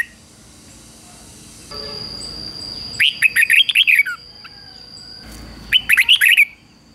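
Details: Decoy red-whiskered bulbul, kept caged to lure and provoke rivals, gives two bright warbling phrases of rapid up-and-down notes about two and a half seconds apart, over a steady faint high hum.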